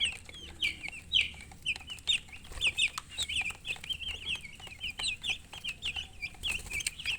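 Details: A group of baby chicks peeping: quick, high, slurred chirps about two per second, overlapping constantly at moderate volume over faint low background noise.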